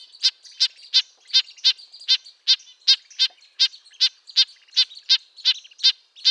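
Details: Red-breasted nuthatch (Sitta canadensis) sounding its nasal, high-pitched call in a quick, slightly uneven series, some notes doubled, with faint background calls.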